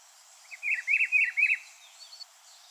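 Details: Rufous-browed peppershrike (Cyclarhis gujanensis) singing one rich, whistled phrase of four or five quick warbling notes lasting about a second, over a steady high hiss of insects.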